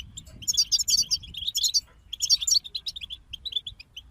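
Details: European goldfinch group singing: rapid bright twittering and tinkling high notes in dense bursts, with buzzy trills around the middle, separated by brief pauses of scattered chirps.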